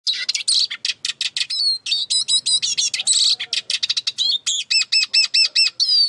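Eurasian siskin in fast, high twittering song, a run of repeated ringing notes near the end, then a drawn-out wheezy falling note. No other sounds stand out.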